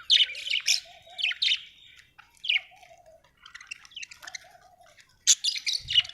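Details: Budgerigar, an Australian bird, chirping happily: scratchy, rapid bursts of buzzy chatter and squeaks in short clusters, with a low warbled murmur running beneath and brief gaps between phrases.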